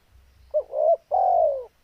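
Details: Spotted dove in breeding condition calling vigorously: one low, mellow coo phrase, a short hooting note then a longer smooth coo that slides gently downward, with quiet low rumble behind.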